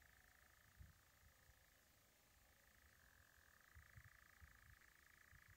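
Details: A European Nightjar in Guisborough Woods on 22 June 2022 churrs faintly, steady and unbroken, throughout, with low thumps and rumbles from handling or wind underneath.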